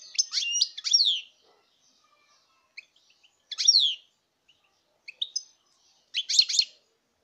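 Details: European goldfinch in 2019 song, sharp high chirps and short twittering phrases with downward-sweeping notes, spaced by quiet pauses, ending with a quick doubled trill.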